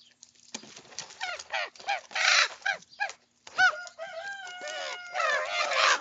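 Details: A group of young common ravens squabbling while eating breakfast, a jumble of rasping squawks and croaks followed by a drawn-out, wavering harmonic call and overlapping scratchy cries.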